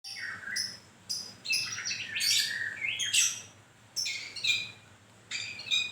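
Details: White-rumped shama during moult, singing loud varied phrases: clear whistled notes near mid pitch mixed with sharp high buzzy bursts, delivered in bouts separated by brief pauses, with faint low hum behind.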